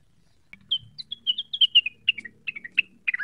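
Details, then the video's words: Cucak wilis (leafbird) singing energetically while seeking a rival, quick to be provoked: a rapid run of short, bright chirped and slurred whistled notes, several per second, the later notes dropping in pitch. "pancingan cucak wilis cepat emosi terpancing bunyi"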